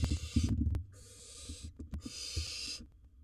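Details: Wild barn owl in a nest box swallowing a large prey item gives three rasping hisses of about a second each, with thumps and rustling in the box at the start.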